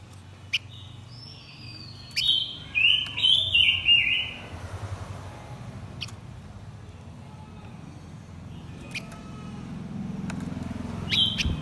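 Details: Blue-winged minla male and female performing a lure song to excite wild birds: a quick run of four or five bright whistled notes early on, followed by low rumbling background noise and occasional clicks.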